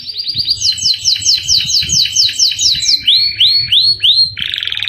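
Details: Canary singing energetically in a rich song style, used as a master recording to train captive birds: fast repeated high trilled notes, then a series of upswept whistles about every half second, ending in a harsh buzzy burst.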